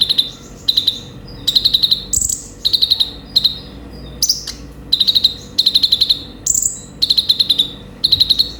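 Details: Sunbird song played as a lure or training recording: short bursts of very high, rapid, tinkling trills, about one every second, with an occasional thin whistled note higher still.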